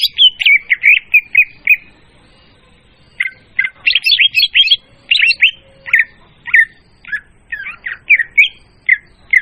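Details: Oriental magpie-robin lure song played for trapping, clear and loud: quick clusters of rich whistled and scratchy notes in several phrases, separated by short pauses, continuing steadily to the end.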